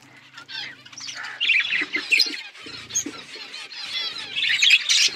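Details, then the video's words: Feeding flock of budgies, rising chorus of harsh chirps and squawky warbles growing louder through the clip, with some low thumping underneath. "Beautiful budgies flocks birds eating food"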